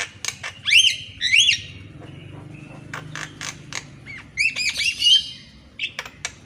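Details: Javan myna singing in the morning, used as training audio for mynas that rarely sing: two bright rising whistled notes with harmonics, sharp clicks and short harsh bursts, then more whistles near the end.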